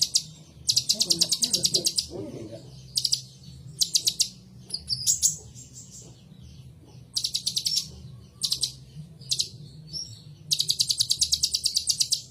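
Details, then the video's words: Ninja sunbird singing in a series of high, fast, ticking trills of one to two seconds, interspersed with short thin twitters, over a faint low background murmur. "suara Kolibri ninja terbaru"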